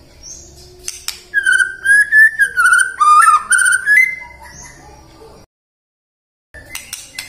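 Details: White-rumped shama singing, meant to prompt morning, midday and afternoon song: a sharp click, then a smooth, wavering whistled phrase lasting about three seconds, a brief silence and a final high note.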